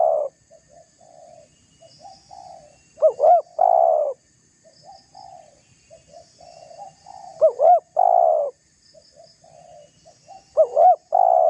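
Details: Spotted dove cooing to provoke and challenge a rival dove: soft murmured notes build into a quick double coo and a long, sustained low coo, the phrase recurring three times with quiet gaps between.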